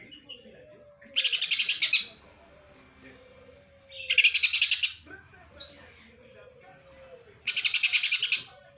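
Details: Greater green leafbird delivering sparrow-style song: three loud bursts of fast, harsh, high chirps, each lasting about a second and spaced a few seconds apart, with a short chirp between the last two and a soft low hum underneath.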